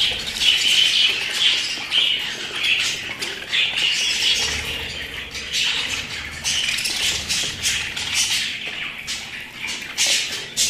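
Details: Pet budgerigars chatter steadily, overlapping warbled phrases, quick chirps and harsh squawky notes swelling and fading in waves.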